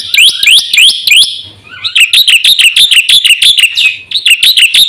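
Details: Black-winged myna used as a lure and training recording for caged birds, delivering rising, whistled chirps in quick succession, a brief quieter break, then a dense series of sharp, ringing notes.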